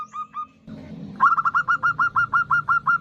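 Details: Local female zebra dove calling to a male, recorded for use as a lure: two soft short notes, then a loud run of clipped, slightly downslurred whistled notes repeated about three times a second, with a faint rumbling background.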